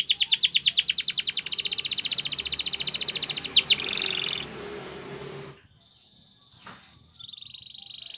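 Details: Spanish Timbrado canary singing for training: a fast, even, loud pulsed roll lasting several seconds, then a softer buzzy tone, a quiet gap, and a thin whistle with a steady buzz.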